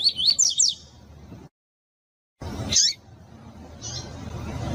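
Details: Pure Double-collared seedeater (Sporophila caerulescens) with female calls, played to stimulate a caged male to sing, gives a quick run of about five thin, high chirps, then after a pause single sharp chirps over a low rumble.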